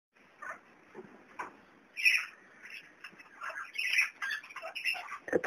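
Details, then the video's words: Young kakarikis calling with scattered squeaky chirps and harsher, louder squawks near two and four seconds, interspersed with soft rustling and clicks. "PETITS KAKARIKIS"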